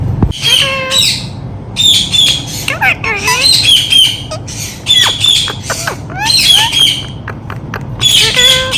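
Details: Pet ringneck parakeet talking, repeating "Mithu Mithu": harsh high squawks mixed with bending, voice-like harmonic syllables, coming in loud clusters about every second or two over a faint low hum.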